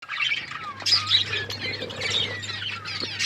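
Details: Pet budgerigars, described as Australian parrots, eating food; dense, warbling high chatter with harsh squawky notes, several birds overlapping, over a steady low electrical hum.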